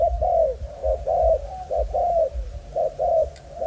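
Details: Malaysian-line spotted dove, a young male, gives close, clear hollow coos, slightly falling, in quick pairs separated by short pauses, in a quiet setting.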